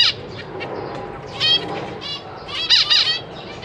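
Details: Zebra finch family of parents busy feeding three juveniles and three newly fledged young practising flying in a large cage give short nasal buzzy chirps in quick bursts, several calling over one another, with soft wing rustle.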